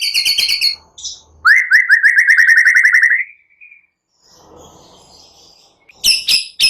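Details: White-rumped shama in strong song, used to stir silent birds, with cililin and prenjak-style phrases: a harsh buzzy trill, a long fast rising chirp series, a soft noisy gap, then harsh notes again.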